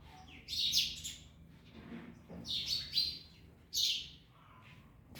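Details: Parrots eating an orange give loud, rasping high-pitched screeches in three separate bursts, with soft rustling between them.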